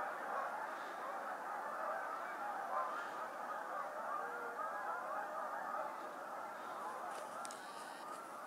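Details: Hundreds of Canada geese suddenly take off at Appleton Farms on 24 January 2016, a warm winter, honking together in a dense chorus of overlapping nasal honks blurring into a steady roar, with faint sharp clicks near the end.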